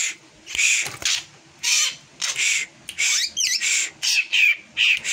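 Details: Drongo giving an unusual song unlike its normal one: bursts of bright, scratchy and slurred notes, some twisting up and down, repeated in quick uneven phrases with short gaps between them.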